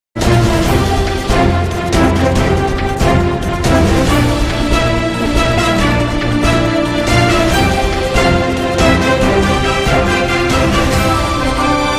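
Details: Loud, steady theme music with a driving beat and sustained tones plays throughout, with no animal voice audible.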